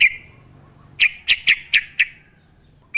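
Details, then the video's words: Yellow-vented bulbul giving about five spaced, sharp, slightly buzzy chirps in a quiet natural setting, each note quickly fading. "trucukan gacor ngalas full suara alam"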